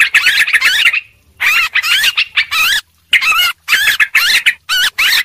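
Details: Bird-luring recording of a noisy yellow-vented bulbul: clustered bursts of quick warbled and rising notes, with a clear pause near the middle, then more chattering phrases.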